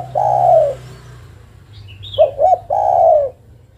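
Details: Female spotted dove calling to the male: a long low hollow coo, then two short quick notes running into a drawn-out falling coo, with faint high chirps from another bird between.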